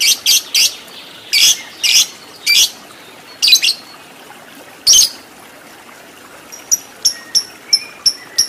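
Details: Lovebird trained as a fighter, uttering clusters of harsh, raspy squawks in irregular bursts, then a quieter series of thin, clipped high chirps about every half second.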